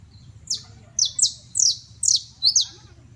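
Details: A Criollo canary of the basto type sings a run of sharp, very high notes, each sweeping steeply downward, about two a second, over a faint low hum.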